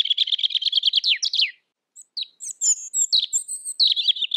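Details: Pekin robin tutor song for training other kept birds: a rapid evenly repeated trill for about one and a half seconds, a pause, then high whistled notes and chattering warbles.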